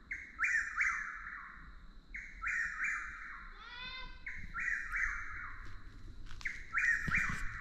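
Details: A Chuck-will's-widow, often mistaken for a Whip-poor-will and very vocal under certain light conditions, repeats its rolling, whistled chuck-will's-wid-ow phrase about every two seconds. A brief buzzy call from another animal cuts in midway.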